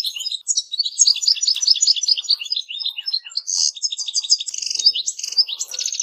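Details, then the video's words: Goldfinches singing: a fast, continuous tinkling twitter of bright high notes, dense liquid trills and buzzy chips running without pause for six seconds. "Goldfinches - amazing song"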